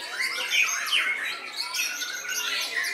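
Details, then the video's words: White-rumped shama at a bird song contest, singing aggressively and winning first place: sharp downslurred whistles and quick trills in fast succession, with several other birds singing behind it. "Murai Batu Seno 'Marah-Marah' Muntahkan Semua Amunisinya!"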